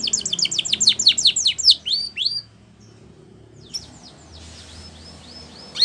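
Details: A Spanish Timbrado canary (Serinus canaria) sings a training song: a fast, bright string of high, sweeping notes for about two seconds, a pause, then a few fainter, softer phrases.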